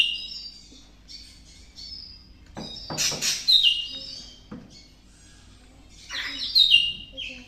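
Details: Greater green leafbird, still seeking to mate during breeding, sings a lively mix of ringing whistles, harsh rasps and rapid chattering phrases, rising into loud full-bodied bursts.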